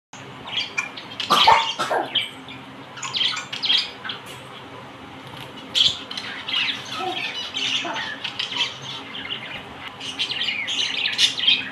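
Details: Young budgerigars give harsh, raspy squawks in quick bursts while begging as their parents feed them.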